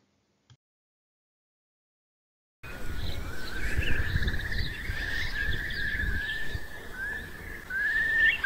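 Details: Eurasian curlew of moors and wet meadows in Central Europe, declining in numbers, gives its long trilling song: rising, liquid whistles speeding into a bubbling trill, over a steady low rumble of wind.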